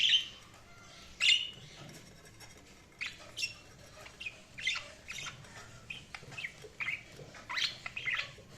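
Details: Budgerigars chirping: short bright high chirps and squawks in irregular bursts, several loud notes spaced through the clip with quieter twittering between.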